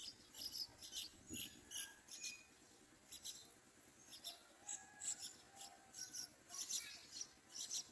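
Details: Yellow-vented bulbul chicks at the nest crying for food: short, high squeaky bursts repeated in quick irregular clusters, with a quiet background.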